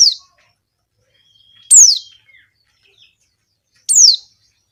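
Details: Female Javan white-eye calling males, played as a lure for wild flocks: high, steeply falling chirps roughly two seconds apart, a thin steady faint whistle heard in the background.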